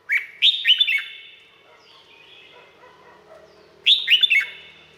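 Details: Red-whiskered bulbul from Thailand singing two short, bright, bubbly phrases of quick warbled notes that slur downward, with a quiet gap of about three seconds between them and slight echo trailing each phrase.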